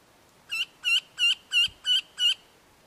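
A Red-throated Wryneck gives six nasal, slightly harsh notes in an even series, about three per second, against a quiet background.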